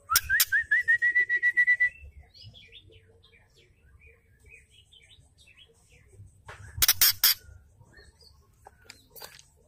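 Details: Female white-rumped shama giving ketrekan, a call used to rouse males into singing and fighting spirit. A rising series of whistled notes gives way to soft scattered chips, then loud harsh rattling bursts near the end.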